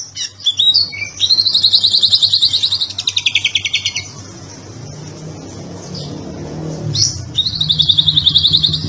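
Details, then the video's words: Kacer (Oriental magpie-robin) in ngobra patah style for masteran, tutoring other birds: bursts of fast, high, repeated twittering notes, then about three seconds of near silence with low background rumble, then another chattering burst. "BURUNG KACER NGOBRA PATAH GACOR MANTAP BUAT MASTERAN"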